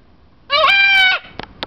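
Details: Tanimbar corella kept at an animal resort: a single loud, raspy, sustained screech of about two-thirds of a second, followed by two faint clicks.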